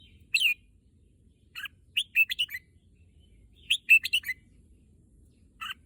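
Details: Red-whiskered bulbul, said to be eager to go to the contest field, sings short bursts of bright, clipped whistled notes. It gives three phrases of two to five quick notes with pauses between them, over a quiet low background.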